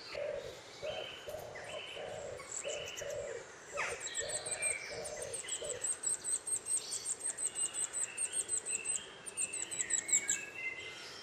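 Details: Nuthatch feeding its chick, Cornwall, 23 May 2010: thin, rapid high chirps repeat through the second half with clearer mid-pitched call notes, after an early run of soft low hooting pulses over faint hiss.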